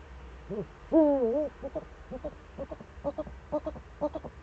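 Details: Eurasian eagle-owl in the Eifel on 4 February 2014, between 7:27 and 7:46: one short hoot, then a long wavering one, then a run of short paired notes about every half second over low background hum.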